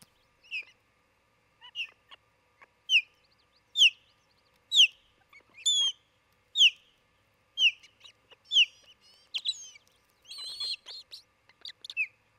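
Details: Osprey pair at their nest near Charlo, Montana, captured by a nest camera on June 27, 2018, late morning: clear, high whistled chirps repeated about once a second, some with a downward slur, growing busier and overlapping toward the end.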